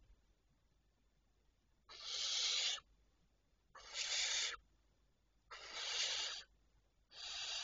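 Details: Barn owl at 02:16 at night on 26 May 2023 gives four long, harsh hissing screeches, each just under a second, repeated about every two seconds over a quiet background.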